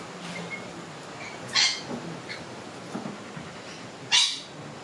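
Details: Silver gull chick in care after being found in a boat motor, scared, hungry and separated from its parents, gives two brief, harsh, high squawks about two and a half seconds apart over a low steady hiss.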